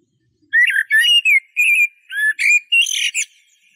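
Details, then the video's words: Eurasian blackbird delivering an unbroken run of about eight rich whistled notes that vary in pitch, some with thin squeaky overtones, with nothing else audible. "تغريد طائر شحرور (جحمومية)Merle noir"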